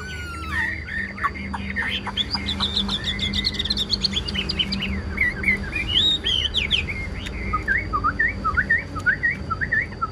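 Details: Chinese hwamei singing in captivity: slurred whistles that open low, then climb into a long stream of bright looping notes that twist up and down, over a steady low hum.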